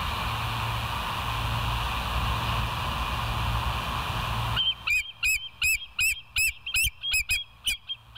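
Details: Bald eagle calls from West End, recorded 06:21 on July 7, 2023 by a live wildlife camera: constant background hum, then a sudden burst of sharp, high piping notes repeated rapidly, roughly ten evenly spaced yelps.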